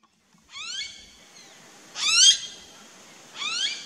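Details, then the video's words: A Blue-faced Honeyeater in an Australian backyard garden gives three loud, rising, rather nasal piping calls about one and a half seconds apart, over a faint background hiss. "Bird Calls/Songs/Sounds~Blue-faced Honeyeater"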